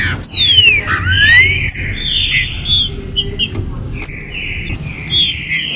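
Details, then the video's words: Song of the green-winged saltator played to warm up captive birds: an opening downward slurred phrase, then long level whistles and short notes from overlapping singers. "trinca-ferro ESQUENTA TEMPORADA 2022"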